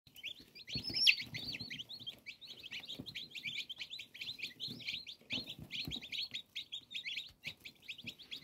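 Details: Newly hatched chicken chicks recorded on 5 June 2022, a brood peeping together in a dense, continuous chorus of short, high, downward-slurred cheeps that overlap rapidly, with faint low rustling and tapping beneath.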